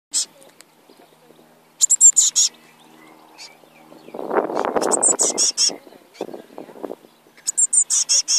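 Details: Eurasian blue tit nestlings in a nest asking for food: bursts of rapid, hissy, very high chirps lasting under a second, separated by pauses, with a person talking quietly in between.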